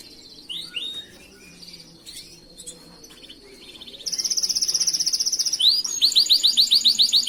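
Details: Canary master song meant for training other birds: scattered soft whistles and chirps at first, then a loud, very fast uniform trill, followed by a run of bright, bouncing, repeated notes.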